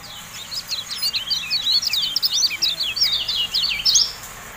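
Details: Javan white-eye, called kecial kuning, in a masteran recording: an unbroken, fast chatter of thin, high, zigzagging notes running for over four seconds, slightly louder toward the finish.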